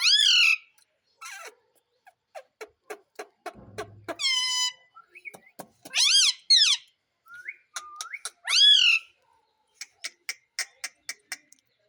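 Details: Pet Indian ringneck parrot talking, said to repeat "mummy": bursts of high, squawky, harmonic syllables with sharply bent pitch. Short clicks and ticks fall between them, and a brief low hum sounds near the middle. Indoor setting.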